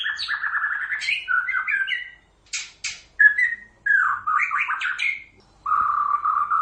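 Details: Varied White-rumped shama song: whistled trills, sharp high notes and a short buzzy burst, ending in a steady rattling trill, separated by brief silences.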